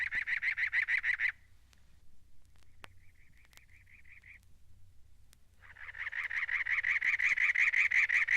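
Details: Cactus wren of the American Southwest giving a harsh, grating, unmusical chatter of rapid, evenly repeated rasping notes, loud at first, then softer, then loud again.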